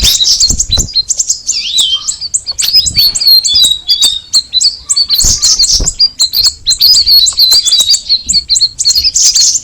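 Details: Cucak rawis, or straw-headed bulbul, delivering a long unbroken chatter of quick high chirps, with a brief lower sliding note around the second second.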